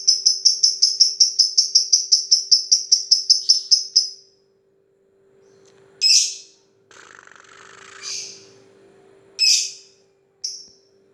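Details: Lovebird doing 'ngetik' (typing) chatter: a fast run of crisp high ticks for about four seconds, then silence broken by a few isolated sharp chirps and a brief scratchy rustle.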